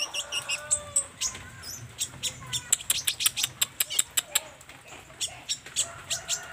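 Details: High, sharp chipping song of an olive-backed sunbird, delivered in a rapid, slightly uneven series of metallic ticks with occasional squeaky twists. Faint lower chatter is heard early.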